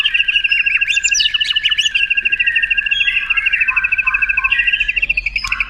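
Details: White-rumped shama tutor song for contest birds, with long highlight phrases: a sustained, fast buzzy trill held high and steady for several seconds, with short sharp notes darting above it.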